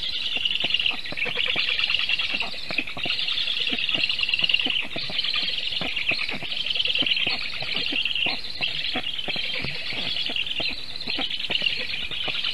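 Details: A long stretch of Black stork chicks calling at their nest in Sigulda region, Latvia, while defending themselves from a goshawk on the nest tree, 1 August 2021, 4:51 PM. The shrill, hoarse wheezing barely pauses, with many sharp ticks and taps.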